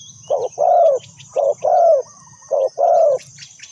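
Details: Decoy spotted dove kept for luring wild doves, three phrases of a short coo then a long rounded coo, with a low rumbling hum underneath and small bird chirps above.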